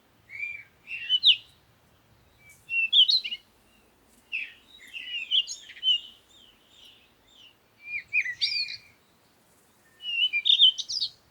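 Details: Bird singing repeated short phrases of chirps and slurred whistles every two to three seconds, with a faint low hum in places.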